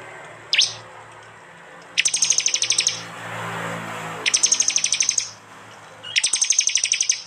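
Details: Prinias from East Java recorded by Android phone and edited into one mix of prenjak, jali and mountain prenjak: a lone sharp note, then three high rattling bursts of fast clicking notes about one second each.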